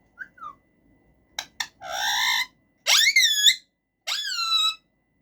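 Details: Pet male rose-ringed parakeet in a cage: two soft whistles and clicks, then loud buzzy harmonic calls that sweep up and hold, repeated three times.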